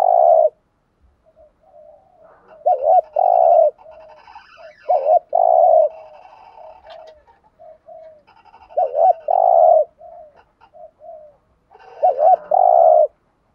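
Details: Decoy spotted dove repeating its 'thúc gù' urging coo roughly every three seconds. Each phrase is a quavering double note and a drawn-out steady coo, with soft low murmurs and faint chirps filling the gaps.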